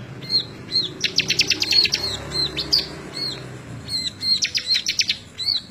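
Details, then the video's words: Bar-winged prinia song from a May 2017 recording used to train other songbirds: high whistled notes, then a fast sputtering trill of chips, a pause, and another quick chattering burst ending in whistles. "CIBLEK GACOR COCOK BUAT MASTERAN"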